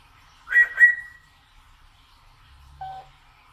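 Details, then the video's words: Pet African grey parrot in a cage, calling to be let out. A loud double whistle is followed by a level tone, then a quieter lower whistle after a pause. "കൂടിന് പുറത്തിറക്കാൻ വേണ്ടി വിളിക്കുന്നതാണ് 😅 || Malayalam talking parrot || African grey parrot"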